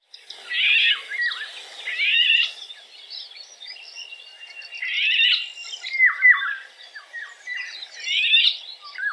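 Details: Eurasian golden orioles singing bursts of mixed whistled and scratchy notes, mid to high pitched, in phrases every couple of seconds over a quiet background.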